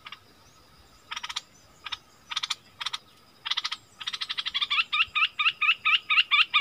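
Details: Wild striated bulbuls in a heated dispute: spaced bursts of harsh, buzzy rattling, then a quickening series of sharp, repeated, upward-flicking chirps, roughly two per second, growing louder.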